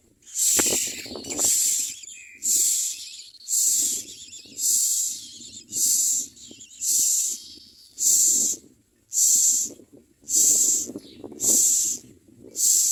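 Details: Common myna chicks scream for food as they are fed in the mouth, begging with harsh, hissing screeches, about one rasping burst per second, steady and insistent throughout.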